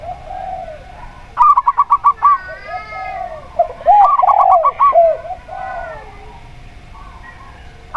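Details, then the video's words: Local zebra dove (perkutut lokal) in a lure recording to make doves sing: two quick trains of clipped, bubbling notes mixed with the lower, drawn-out arched coos of a spotted dove (tekukur). "Perkutut Lokal Suara Plong"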